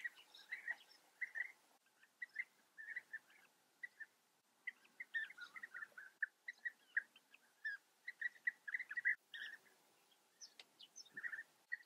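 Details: Chorus of European bee-eaters at their Eifel colony in Germany, with continuous short burry chirps from many birds overlapping, in steady pulses of two to four notes throughout.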